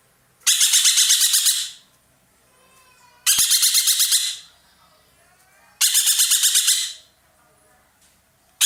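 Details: Caged ekek keling roller from Indonesia calling loudly: repeated coarse, buzzing bursts of rapid pulses, each lasting over a second and recurring about every two and a half seconds, with faint twittering between.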